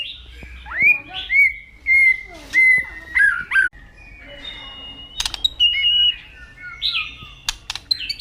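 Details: White-rumped shama giving its loud koar song in the morning, Indonesia: a run of clear whistled notes, some sliding upward, followed by varied warbled phrases, sharp clicks and short rising whistles.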